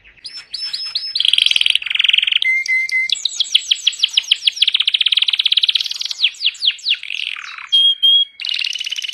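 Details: Canary held in a person's hand, singing a loud, rich, continuous song of rapid rolling trills, sweeping buzzy notes and high clear whistles that change every second or two.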